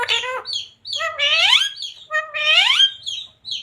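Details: Pet ring-necked parrot mimicking words like Radhe Radhe and Sita Ram: two long, rising and falling harmonic phrases, loud and clear, with brief high chirps between them.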